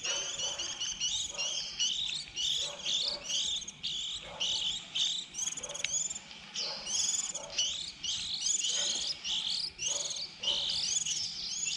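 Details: Fledgling white-eyes at the start of the 2020 season, a recording kept for luring birds into traps: rapid high chirps in unbroken chattering runs, several notes overlapping, with short pauses between bursts.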